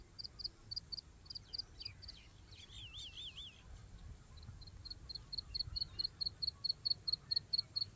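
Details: Black francolin chick calling: high, thin peeps repeated about twice a second, a brief wavering trill in the middle, with low rural background rumble.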